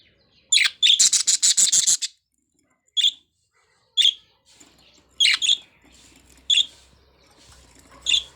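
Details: Budgerigars' morning routine: a budgerigar gives a fast burst of harsh, high chirps, then short sharp chirps repeated about once a second.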